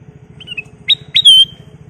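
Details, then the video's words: Ruby-throated bulbul, or kutilang emas, singing prolifically: a faint whistled note, then two loud upslurred whistles leading into a long clear ringing whistle, over a steady low mechanical throb. "Kicau Burung Kutilang Emas Gacor"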